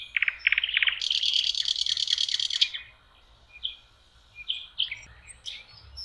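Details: Singing nightingale on a lake shore in May: a few loud rising notes, then a long harsh buzzing rattle lasting over a second, followed by quieter scattered whistles.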